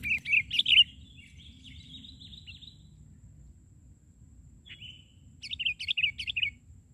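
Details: Sooty-headed bulbul singing on the ground rather than in the branches while birds are lured; a loud burst of sharp chirps, a thin buzzy trill, a single slurred note, then a rapid string of five bouncing chirps.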